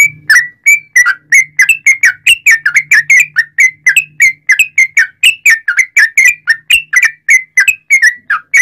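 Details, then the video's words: Sooty-headed bulbul in full, persistent song with long 'ropel' runs, played to stimulate other bulbuls: unbroken sequence of brisk, slurred whistles, rising and falling, about three per second, with a soft hum at first. "trucukan gacor ROPEL PANJANG buat pancingan trucukan agar bunyi"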